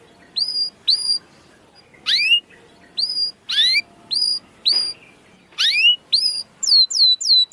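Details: Canary calls played to coax a reluctant canary into singing: scattered short whistled notes, some rising and some level, spaced irregularly, ending with a quicker run of downward slurs.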